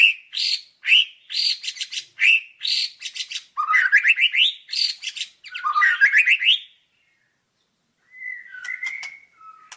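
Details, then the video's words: White-rumped shama song of repeated loud, ringing phrases with harsh overtones, two rising trilled sequences, a silent gap, then soft, low whistled notes. "Masteran Suara Burung Murai Batu"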